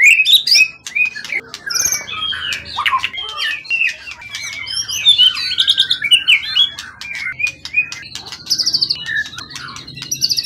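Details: Wild-caught forest bird kept long in captivity for song contests, tail of 20 cm or more, singing strongly: a long, varied stream of whistles, sharp chirps, buzzy phrases and clicks, mimic-like and restless.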